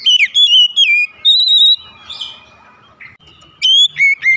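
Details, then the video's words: Morning song of an oriental magpie-robin, bright whistled notes gliding up and down in short phrases, a quiet gap with soft background hum, then fresh loud whistles returning near the end. "OCEHAN KACER DI PAGI HARI"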